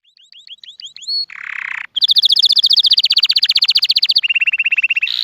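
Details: Canary song for teaching other canaries, nonstop: a rapid series of upswept chirps, a short buzzy harsh phrase, then a long fast trill of repeated notes and a lower steady roll, all high-pitched.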